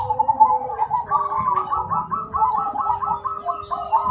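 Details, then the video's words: Zebra dove, black cemani variety, singing with a loud, clear, rhythmic voice. Rapid stuttering coo notes are repeated in a steady run, while another bird holds a thin high whistle throughout. "Perkutut Cemani Gacor Suara Berirama Besar Lantang dan Jernih"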